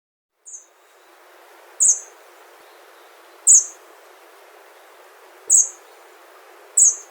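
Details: Hawfinch, a wild bird of Japan, giving short, sharp, very high ticking calls, five in all, spaced about one and a half to two seconds apart over a steady soft background hiss.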